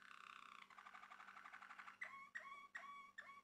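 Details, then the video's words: Caged male Malinois Waterslager canary from Turkey: a bubbling gurgling roll, then four sharp descending water-drop notes spaced about half a second apart. "Malinua Kanarya Sesi Ve Ötüşü | Malinois Waterslager Canary Singing"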